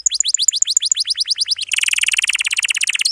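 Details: Atlantic canary singing densely packed long rolls, meant to tutor young or silent canaries: a fast series of high, sweeping whistled notes runs straight into a rapid, buzzy trill that continues evenly to the end.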